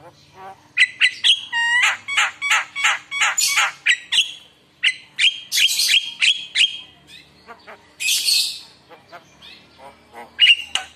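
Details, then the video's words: Javan myna singing energetically with varied mimicked phrases, meant to prompt other mynas to answer; bursts of rapid harsh notes, whistled tones and hissing squawks separated by short pauses. "Pancingan Jalak kebo Gacor full Isian Mewah dijamin Langsung Nyaut"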